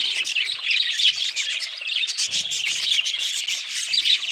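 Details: Budgerigars calling in a thick chorus of bright chirps and grating warble, several quick whistled squeaks rising above the rest.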